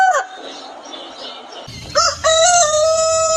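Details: On a chicken farm, a rooster's crow breaks out after a stretch of muffled background noise, opening with a short rising note and then holding one steady, strongly harmonic tone to the end.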